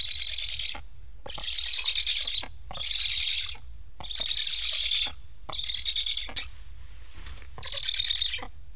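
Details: Black stork nestlings in Estonia, fitted with transmitters and left unfed by stressed parents, plead for food with harsh wheezing bursts about a second long, repeated six times with short silent gaps between them.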